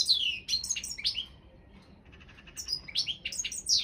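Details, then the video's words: Balkan goldfinch in an internet singing championship: a few sharp descending twitters and slurred whistles, then a quiet stretch of soft ticking, followed by renewed bright chattering notes. "World Championship in Goldfinch Song"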